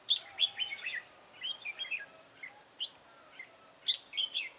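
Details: Red-whiskered bulbul singing as a trapping decoy on 9 October 2017: quick bursts of liquid, warbling notes in short phrases, several clusters with brief pauses, against a quiet background.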